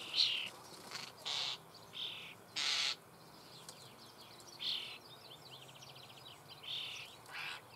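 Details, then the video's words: Nestling common starlings fed in their nest hole near Büchel in the Eifel, Germany, give harsh, broadband rasping shrieks in short bursts, about seven across the stretch, some longer and louder than others. "Star füttert Junge in Bruthöhle"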